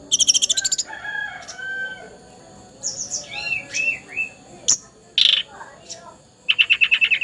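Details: Juvenile Sunda robin still in young plumage yet already singing energetically: bursts of rapid high buzzy trills, downslurred whistles and rising-falling chirps scattered between pauses, ending in a fast pulsed trill.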